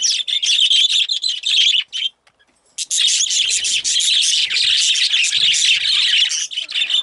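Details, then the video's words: Excited pet budgerigars chirping: a dense, loud chatter of rapid high warbles and chirps from several birds. It stops briefly near two seconds, then resumes without pause. "Excited Budgies/Parakeets"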